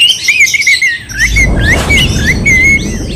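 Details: Kacer, the oriental magpie-robin, provoking a rival: a thin repeated whistled phrase with wavering notes, over a rumbling low background noise.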